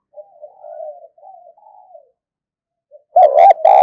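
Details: Decoy spotted dove used to provoke wild doves: faint, low wavering cooing for two seconds, a pause, then a sudden loud pair of throaty coos at the end.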